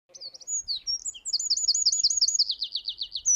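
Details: Eurasian wren singing in a winter forest in Japan, loud and clear: high thin whistles leading into a fast, even trill of sharp descending notes, ending on a rising whistle, with faint low rumbles below.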